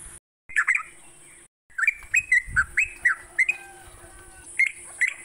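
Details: Morning song of a yellow-vented bulbul, played to stimulate caged songbirds: brief gaps, then quick liquid slurred notes repeated in a loose series, with a steady background hiss and faint low rumbles.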